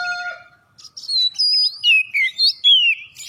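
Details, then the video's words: Oriental magpie-robin giving prompting song to get other birds singing: a steady tonal note opens, then a string of loud slurred whistles rising and falling, about six phrases in quick succession. "masteran kacer gacor atau pancingan kacer biar bunyi"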